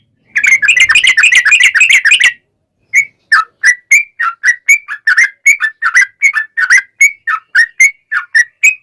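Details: Sooty-headed bulbul in energetic song, used as a lure for other trucukan. A two-second rapid bubbly roll, a short silence, then a long string of evenly spaced whistled notes, some dipping and some rising.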